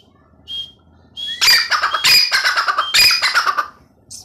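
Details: Grey francolin giving loud, rasping, rapidly repeated harsh notes in two bursts, with thin high whistled notes from other birds before and after.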